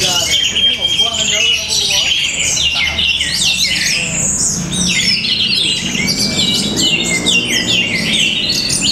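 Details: An orange-headed thrush in Bali pours out a loud, rich, unbroken song of varied whistles, trills and mimicked phrases, with faint voices and other birds behind.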